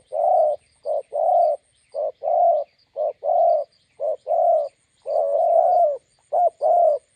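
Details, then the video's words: Spotted doves beside a roadside, a decoy bird meeting a wild bird: loud, hoarse cooing in short and longer notes, given in repeated phrases with brief pauses, against an otherwise quiet background. "Kèo Bên Đường Lộ (bổi đẹp gặp mồi Đồng Gù…)"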